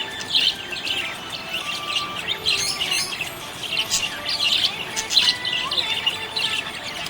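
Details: Happy budgerigar warbling steadily, mixing quick high chirps, grating buzzy notes and clicks in irregular bursts, with a few lower whistled tones in the background.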